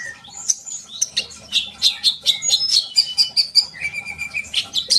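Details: High-pitched sunbird song used to stir young birds into singing; a steady stream of quick, thin chirps and sharp whistles with a short level trill near the end, delivered almost without pause.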